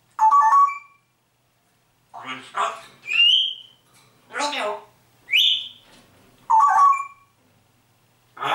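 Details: Grey parrot mimicking greetings such as Servus and Grüß Gott and singing: warbled whistles, rising whistled slurs and hoarse, word-like sounds in turn, with short pauses between them, indoors.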